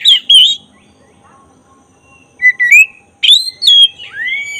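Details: Black-breasted oriental magpie-robin in full song, used as a lure to provoke emotion and tail opening; short bursts of sweet whistled notes separated by a long pause, then a rapid varied phrase ending in a falling slur.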